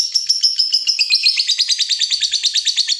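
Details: Lovebird of fighter type, a cage bird, in long chattering song meant to get other lovebirds singing: a fast, even, buzzy high trill of rapid repeated pulses throughout.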